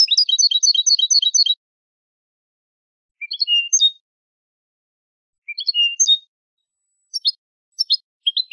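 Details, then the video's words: Spanish European goldfinch song from a tutoring recording made to teach young birds: a rapid run of bright, twittering notes, then separate short sweeping phrases rising into ringing whistles, with silent gaps between them. "شريط تغريد الحسون الإسباني"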